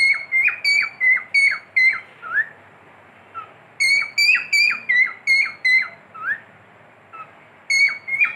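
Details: Domestic cockatiel whistles in short bursts: quick strings of bright, falling-tailed notes, then low rising slurs and a pause of about a second, before another rapid burst of clear whistles.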